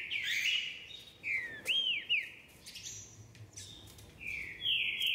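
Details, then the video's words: Green-winged saltator in song, delivering rapid, loud whistled phrases with falling and arched slurs, a brief lull, then a long bright whistle at the end. "Trinca-Ferro cantador"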